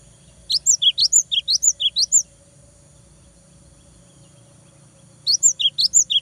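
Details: Fluent 'gacor' cinereous tit song, played to make rivals and young birds sing. A long fast series of about fourteen high upslurred whistles lasts nearly two seconds. After a three-second pause, a second rapid series starts.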